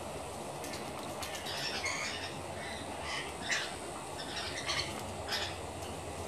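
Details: Rainbow lorikeets splashing in a bathing dish on a veranda give a run of shrill, rasping screeches and squawks in short irregular bursts, several overlapping, against a faint hiss.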